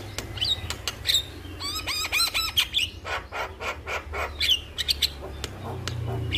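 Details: Calling male Javan myna seeking a female: loud harsh chatters broken by a quick series of descending whistled notes, with wing flutter and background rustle throughout.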